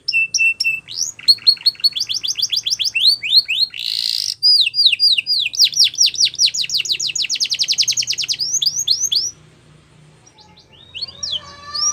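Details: Singing canary, song used to get other canaries singing along: rapid series of high downslurred notes, a brief noisy burst, more rolling trills, then a quiet pause with soft twitters.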